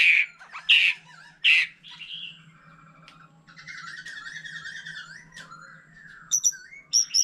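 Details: White-rumped shama, mature and wild-caught, singing among a laughingthrush: three loud harsh notes about a second apart, a pause, a soft scratchy trilled phrase, then sharp high piercing notes at the end.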